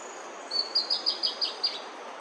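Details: Bertoni's antbird singing while foraging on bamboo in Brazil: a short series of about seven raspy, high notes given in quick even succession over a little more than a second, with faint background hiss.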